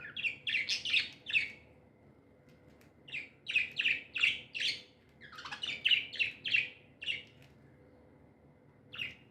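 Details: Pet budgerigars, described as happy and tame, chirp in bright, high bursts of short notes, grouped in quick runs with brief pauses between, a steady low hum underneath.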